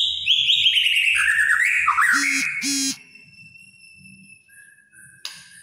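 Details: White-rumped shama in kretekan song, said to make other shamas agitated: a falling cascade of bright whistled notes, then two harsh rattling bursts, followed by quiet and a brief sharp note.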